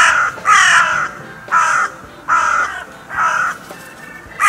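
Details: Crow recorded on 6 January 2022 in a field or quarry territory gives about five harsh, hoarse, slightly descending caws, roughly one per second; no other sounds intrude.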